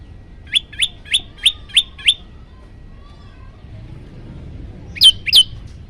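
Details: Yellow-bellied prinia master recording for stirring other birds: six clipped, rising chirps in quick succession, a three-second pause, then two louder, sharper notes.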